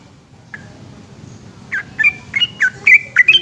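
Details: Yellow-vented bulbul giving its long, lively night-time ropel song. Near-silence at first, then a lone note, then a quickening run of bubbly, slurred whistled notes that rise and fall around the upper-middle range. Faint low background hum.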